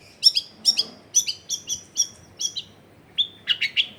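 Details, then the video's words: Long-tailed shrike singing, offered as a lure to get reluctant shrikes to sing: a rapid run of paired high chirps, about seven evenly spaced, then a brief pause and a trio of harsher, lower chips. "SUARA BURUNG CENDET GACOR PANCINGAN CENDET MALES BUNYI"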